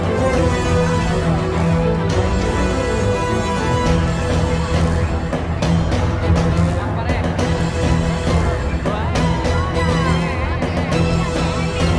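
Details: Dense background music with some speech, and no animal call stands out.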